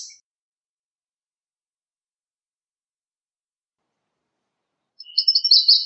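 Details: American redstart singing: a long silent stretch, then one high, thin phrase of rapid sibilant notes over a faint lower steady tone, cut off at the end.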